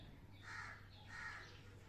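A parrot gives two harsh, nasal, meow-like calls about half a second apart in imitation of a cat, over a low steady hum.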